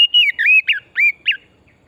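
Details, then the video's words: Oriental magpie-robin, a forest bird in vigorous song, used as a singing lure: a short sequence of rich, sliding whistled notes, several dipping downward, in quick succession. "Pancingan burung kacer pesona hutan murni gacor"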